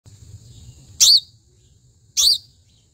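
A house sparrow gives two bright, harsh chirps about a second apart over a faint, steady high-pitched whine and a low background rumble.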